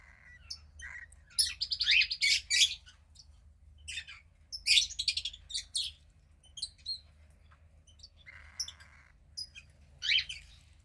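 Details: Young cockatiel chick, 15 days old, second hatchling, lets out runs of rapid shrill chirps and squeaks, with a steady raspy hiss near the end and a final sharp call.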